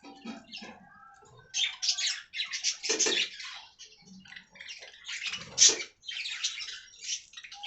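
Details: Budgerigars kept in an aviary, softer and more spaced chatter: scratchy warbled phrases and thin chirps in short clusters with quiet gaps between.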